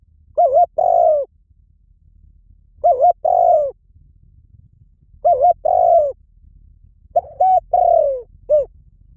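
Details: Spotted dove giving four repeated cooing phrases over about nine seconds. Each phrase is a quick wobbling double note and then a drawn-out, softly descending coo, and the last ends with a short extra note.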